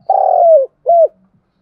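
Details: Spotted dove used as a lure for wild birds, giving a long, slightly buzzy mid-pitched coo that dips at the end, followed by one shorter arched coo.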